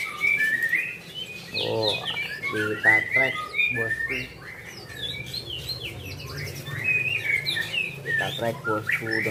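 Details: A White-rumped shama in captivity, groomed for singing competitions, delivers fast rattling trills and stacked clicking notes mixed with bright whistled phrases, changing pattern every second or two, with steady low background hum.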